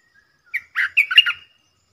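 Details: From a southern Thailand session luring a wild bulbul with a caged bird: a single bubbly song phrase, a short whistle then a rapid cluster of rich, gurgling notes, with a thin trailing tone.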